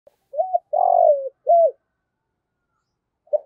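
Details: Decoy spotted dove calling in the 'giọng thổ' voice style: one low cooing phrase of a short upslurred note, then a long burry coo that slides down and a rounded closing coo, then silence and the start of another phrase.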